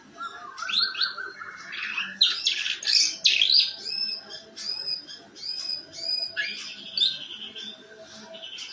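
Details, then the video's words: Canary delivering harsh ngeriwik-style song, used as a prompt so other canaries start singing; rapid rasping chatter and squeaky notes, then a run of evenly spaced short whistled strokes and a final twittering flourish. "kenari ngeriwik kasar buat pancingan"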